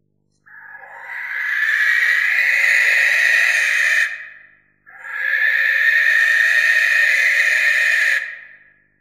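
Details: Barn owl giving two long, harsh hissing screeches, each about four seconds, broad rasping noise with no background sounds.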